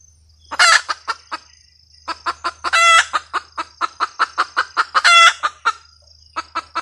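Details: Cackling red junglefowl hen: two loud, strained, nasal squawks stand out among dense series of short clucks repeated roughly every quarter second. A low hum sits underneath and a thin high tone persists.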